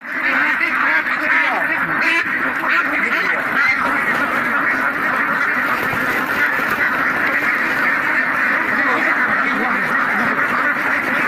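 A crowd of mallards quacking together, harsh nasal quacks overlapping into a steady, unbroken chatter with no pauses throughout.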